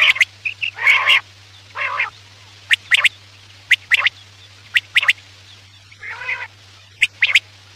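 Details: Quail call used at night to lure birds for hunting: hoarse rasping notes alternate with isolated sharp clicks spaced about a second apart, over a constant low hum.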